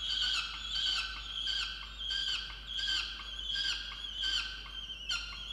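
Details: At a water-tower nest box in Orange, New South Wales, Australia, on 8 November 2022, a peregrine falcon scolds its mate for not bringing breakfast with rapid, rasping, high cries, roughly ninety a minute, rising and falling in loudness.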